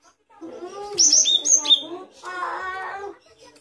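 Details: Great tit song of bright, piercing two-note whistles, each dropping from high to lower pitch, repeated four times in quick succession, followed by a lower, harmonic chattering sound from another source.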